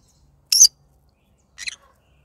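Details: Yellow-sided green-cheeked conure, a pet bird, in the morning giving two brief rasping screeches about a second apart, the first louder and the second softer.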